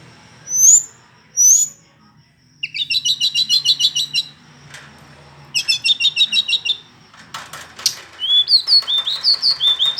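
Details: Hill blue flycatcher in varied song: two high upslurred whistles, then rapid chattering trills of repeated sharp notes, and a closing run of bright rising and falling whistled slurs.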